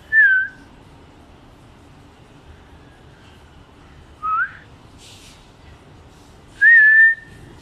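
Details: Myna giving three loud whistled calls spaced a few seconds apart, the first slurring downward, the second short and rising, the third rising then held steady; a brief hiss between calls over a quiet background.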